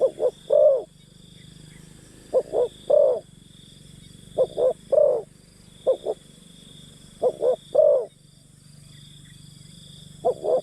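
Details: Decoy spotted dove coaxing wild birds with a run of repeated phrases, each two short low coos then a longer croo, given roughly every one and a half to two seconds, with a faint steady whine throughout.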